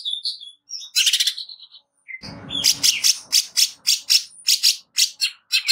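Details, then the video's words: Greater green leafbird giving harsh rapid song for training: a few whistled notes and a rasping burst, then a brief low noise, followed by a steady series of harsh chattering notes about twice a second. "Cucak ijo nembak kasar"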